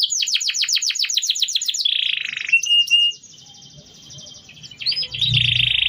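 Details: Canary song for training other birds, starting with rapidly repeated descending notes, then buzzy tones and a soft high trill, finishing with a loud harsh buzz.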